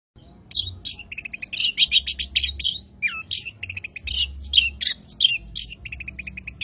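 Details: Orange-headed thrush singing a rich, varied, high-pitched song of quick whistled phrases, trills and mimicked notes, delivered in rapid bursts over a low background hum.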